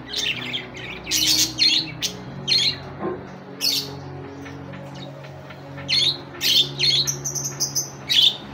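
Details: A budgerigar calling to a rival gives harsh, scratchy squawks and chirps in quick irregular bursts, several per second at times, over a faint low indoor hum.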